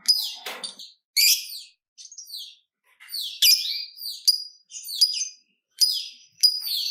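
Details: Lovebird used as a lure to get other lovebirds singing, giving high, harsh chattering bursts with descending squeaky notes between brief pauses.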